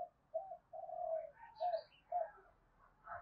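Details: Spotted dove call used to excite a decoy bird and lure wild doves; soft, low hooting coos in short phrases over steady background hiss, with faint higher chirps from another bird.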